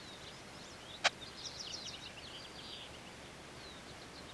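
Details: American goldfinch at a nest with five young chicks in a small deciduous tree in an overgrown field, Iona Island, Richmond, B.C., Canada, June 1995: a faint run of high, thin twittering notes over steady hiss, after one sharp click.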